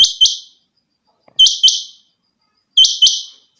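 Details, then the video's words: High, ringing paired notes from a kept rain quail, the chinga batair, given three times in quick doublets separated by brief silences. "my rain quail sound effect chinga batair ki awaz"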